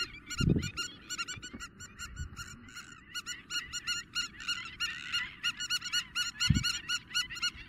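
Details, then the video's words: Spur-winged lapwing in Greece, April 2023, calling intensely: harsh, metallic, rapidly repeated notes, several per second, with a few low thumps of wind or handling. "Spur winged Lapwing intense call"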